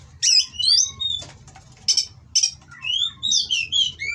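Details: Oriental magpie-robin from an Indonesian breeder, mating song aimed at rival birds: quick slurred whistles and harsh rasping bursts over a low background hum, with falling and rising whistled notes near the end.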